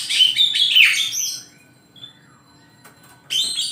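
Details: Oriental magpie-robin in morning song, opening with a dense tumbling phrase of varied whistles and sweeping notes, a faint soft whistle after a pause, then another bright burst of high chirps. Low background hum throughout.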